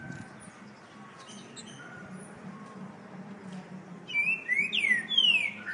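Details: Rufous-bellied thrush singing: after a quiet start, a loud burst of clear whistled phrases near the end, sliding down and up in quick succession, over a steady low hum.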